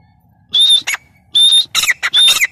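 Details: Two or three loud high whistled notes from a grey francolin (teetar), each followed by harsh squeaky chatter, over a faint low background rumble.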